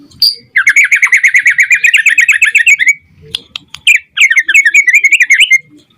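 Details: Singing white-rumped shama, played to make other shamas answer: a long fast rattling trill of rapid repeated notes for over two seconds, then a pause and a second burst of quick, jumpy warbled notes.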